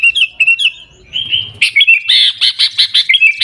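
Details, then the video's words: High chirping song of a sooty-headed bulbul in the 'Gaya Garuda' style, from Pidie, Aceh, Indonesia: short whistled notes, a sustained tone, then a burst of harsh, buzzy, rhythmic notes repeated several times per second. "Gaya Garuda Burung Kutilang"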